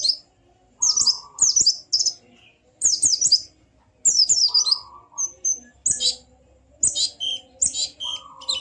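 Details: White-eye song in the ngalas manner, intended to set a silent bird singing: many short bursts of high, quick descending chirps, interspersed with lower sustained whistles.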